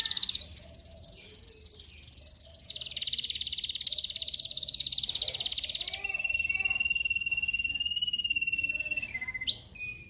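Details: Yellow canary in a cage, singing in training: long sustained buzzy rolls, one high and one lower, then a steady pure whistled trill, ending with a short rising chirp.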